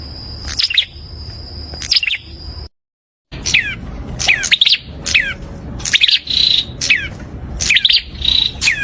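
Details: Prinia song: quick series of sharp chirps sweeping downward, some paired and tripled, with short buzzy steady notes. An insect-like constant high whine runs through the first part, and there is a brief silent gap midway.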